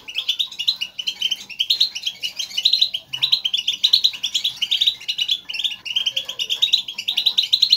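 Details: European goldfinches in a lively group chatter, the contact calling the birds use in the wild to call each other and signal their presence, played to stimulate a caged goldfinch to sing; dense, continuous tinkling twitters and rapid chirps overlapping throughout, pulsing in bursts.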